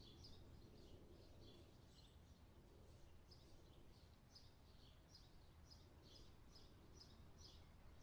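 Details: African stonechat (Saxicola torquatus) gives short, high, scratchy call notes about twice a second, over a steady low rumble of wind or distant traffic.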